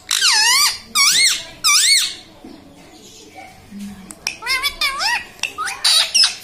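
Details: Pet parrot repeating the taught word "mummy" ("mami"). Three loud, high, squeaky, wavering syllables come first, then a quiet pause, then a quick run of shorter squeaky calls.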